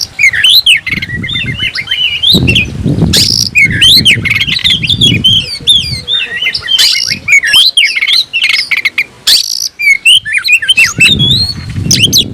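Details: Kacer (oriental magpie-robin) song while seeking a rival: dense run of rising and falling whistles, chips and rasping bursts lasting throughout, with a faint low rumble beneath.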